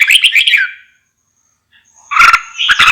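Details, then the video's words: Red-whiskered bulbul giving a quick warbled phrase, then silence, then two more short bursts of liquid whistled notes broken by sharp clicking sounds. "TIẾNG CHIM CHÀO MÀO"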